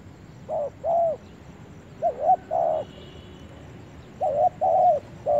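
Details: Spotted dove cooing in a forest in grouped phrases of two or three notes, short hollow coos followed by a longer wavering croon, separated by brief pauses.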